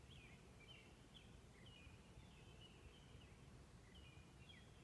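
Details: A northern cardinal sings during the blue hour just before dawn, heard from a bedroom window: a run of clear, slurred, downward whistles, each phrase repeated several times, over a steady low background rumble.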